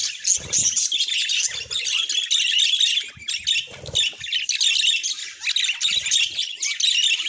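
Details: Continuous, loud budgerigar warbling: grating, buzzy chirps and squawks run in a long stream with only brief dips. A few low knocks are heard in between.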